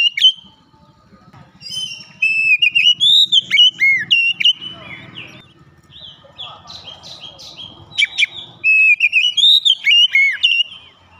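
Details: Singing Oriental magpie-robin, beak held wide open, delivering rich whistled notes, slurred sweeps and brief buzzy bits in fast bursts, with softer chatter and faint background murmur between phrases.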